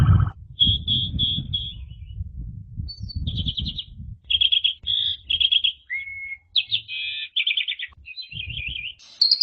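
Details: Asian pied starling song used as a training recording, described as loud and open with a chattering style: clear whistled notes repeated in short runs, some rising and dipping, over a low rumbling background noise.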